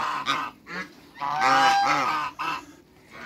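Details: Loud brassy honks from a giant couple of African geese on a backyard farm, several drawn-out calls rising and falling, with a quieter pause near the end.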